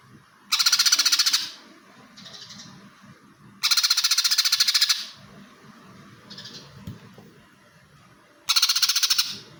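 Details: Greater green leafbird singing in fighting mode in a full 'greja' style: three loud bursts of rapid, harsh, buzzy chatter, each under a second long and roughly three seconds apart. Softer chirps sound between bursts over a low background murmur.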